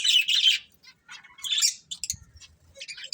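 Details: A budgerigar breeding pair chattering in loud, bright, buzzy chirps and quick warbled notes, with a few soft low taps.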